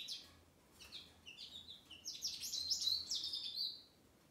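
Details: A male American goldfinch, on the day of his release after 21 days of medication for a Mycoplasma infection, sings a rapid, high run of varied twitters and sweet slurred notes building into a bright warbling stream; a faint low hum underneath.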